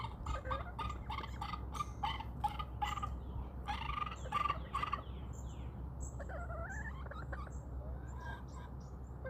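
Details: Backyard chickens roaming outdoors in a calm countryside setting, giving a run of short, hoarse clucks spaced irregularly for about five seconds, then wild songbirds chirping and sliding whistles, over a steady low hum.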